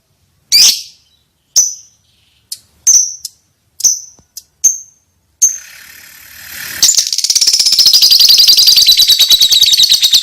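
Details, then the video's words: Lovebird, one of the popular songbirds kept and traded in Indonesia. Sharp, high chirps come singly at irregular intervals for about five seconds, then give way to a continuous, dense, buzzy chatter that runs to the end. "Burung Kicau Lovebird"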